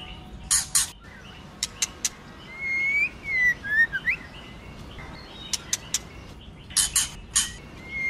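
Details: Female white-rumped shama singing in forest style to stir the male. Loud harsh rasping bursts and sharp clicks are mixed with a short series of clear whistled notes that slide up and down, then more rasps and clicks.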